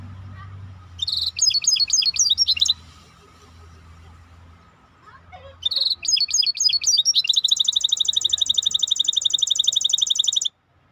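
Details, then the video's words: Maestro bird singing in bursts of rapid high chirps and rolling trills, a pause of about three seconds, then a long fast metallic trill repeated many times per second; faint low hum underneath. "احلى تغريد مباشر لطائر المايسترو 🐦The best direct tweet of the Maestro bird"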